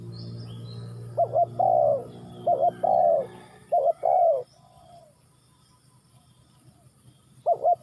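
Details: Spotted dove giving its coo phrase: quick paired notes then a drawn-out, downward-sliding croo, several rounds before a quiet gap and one last short coo; faint distant chirps and a low hum behind.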